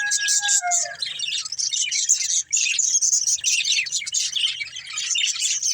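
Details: Pet budgerigars playing and eating chirp and warble continuously at a high pitch; a drawn-out, falling, tonal call fades away in the first second before the busy chatter takes over.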